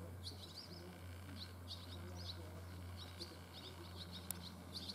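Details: Barn swallow fledglings on their first day out of the nest, leaving early in the morning: thin high chirps repeated in short bursts over a steady low hum.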